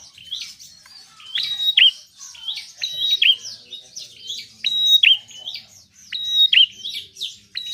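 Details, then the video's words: Bar-winged prinia (prenjak) pouring out shrill, clipped notes, about forty a minute. Each is a brief steady whistle ending in a sharp drop, and the notes are linked by rapid twittering. "Prenjak gacor penarik burung malas bunyi"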